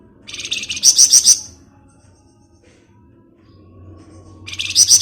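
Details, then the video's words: Ngebren chatter of a Flamboyan bird, used as a lure: a loud, high, buzzy burst of fast pulses, a long near-silent pause, then another burst starting at the end. "Rajanya Ngebren Burung Flamboyan"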